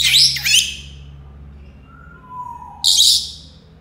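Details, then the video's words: Senegal parrot, also called yoyo parrot, mixing harsh scratchy squawks with two soft, pure whistled notes, the second lower and drawn out, before another rasping squawk ends the phrase. "Senegal parrots sounds تصفير جميل و محفز لببغاء اليويو السنغالي"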